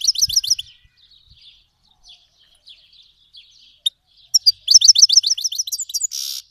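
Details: Iranian goldfinch, a Himalayan and black-headed cross, from Fars, Iran, singing for young birds to learn: rapid liquid twitters, scattered soft notes, a sharp click, then a long run of fast repeated chirps ending in a buzzy rasp.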